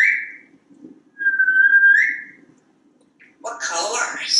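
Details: A talkative pet African grey parrot perched on a kitchen faucet in a Texas home gives clear, steady whistles, one rising at its end, then a raspy speech-like burst.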